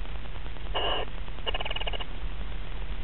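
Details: Barn owl recorded on 16 February 2011, giving a short, harsh hissing burst followed by a rapid, pulsed rasping series, over a constant low rumble.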